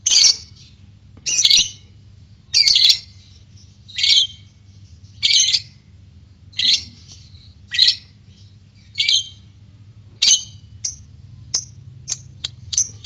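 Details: Harsh, rasping squawks from a white-beaked lovebird, repeated about once a second in a regular series, ending in quicker short clicks, with a steady low hum behind.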